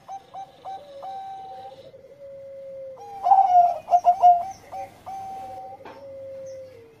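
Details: Bangkok-type zebra dove singing in the engkel style, used as a lure to raise breeding mood: rapid bursts of short rising coos, then long level hooting notes that sink at the end, in a quiet room.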